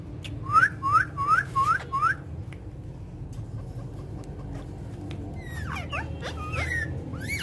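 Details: Pet parrots frolicking together on a woven charpai. Five short rising whistled notes are repeated about every half second, then a pause, then a jumble of sweeping, looping whistles over a low background hum.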